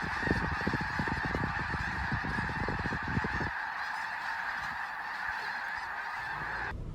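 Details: Thousands of wintering snow geese at Bosque del Apache Wildlife Refuge, New Mexico, taking off together and flying in unison; a dense, continuous chorus of overlapping honks from the massive flock, with a roaring rush of wingbeats in the first half that fades after about three and a half seconds.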